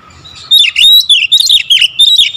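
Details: Oriental magpie-robin in 'tembakan rapat' (close-fire) song meant as a lure: after a quiet start, a rapid run of bright, looping whistles and buzzy trills packed tightly together, a few notes each half second.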